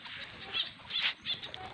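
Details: Pet black oriole (kilyawan) being fed in rural Bicol, Philippines, gives short harsh, hissing bursts that rise and fall three times within two seconds, over a low background rustle.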